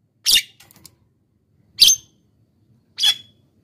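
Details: Javan myna calling as a lure to draw in wild birds; three short, harsh, noisy squawks about a second apart, each with a brief tonal edge, plus faint clicks.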